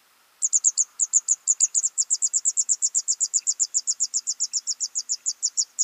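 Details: After a brief silence, fed young birds launch into a long, even train of shrill high chirps, roughly six per second, sustained without a break.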